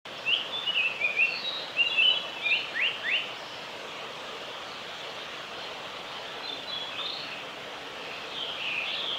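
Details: Male Japanese paradise flycatcher singing at Oiso, Kanagawa Prefecture, Japan, on 22 May 2020: a run of quick high chirped and slurred whistled notes in the first three seconds, fainter notes later, over steady broadband background hiss.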